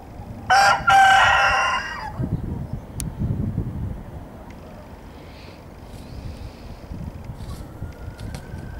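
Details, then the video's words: Naked neck rooster crowing: one loud, harsh, drawn-out crow lasting about a second and a half near the start, then quieter rustling background and a few faint distant bird notes. "Chant de mon cou-nu"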